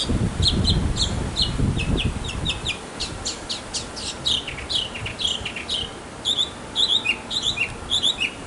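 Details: A male mockingbird sings in a backyard to attract a mate. Dense, varied medley of chirps, trills and sweeping notes in quick succession, with low rustling noise during the first three seconds.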